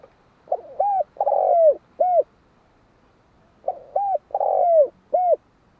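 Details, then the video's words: Two cooing phrases from a spotted dove, roughly three seconds apart. Each holds a paired soft coo, an extended rough coo that drops in pitch, and a crisp final note. "Tiếng chim cu"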